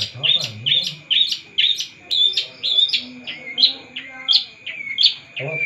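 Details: Vigorous song of a long-tailed shrike: sharp, varied chirps and whistled slurs delivered in uneven bursts, some notes sweeping up high. A constant faint tone runs in the background.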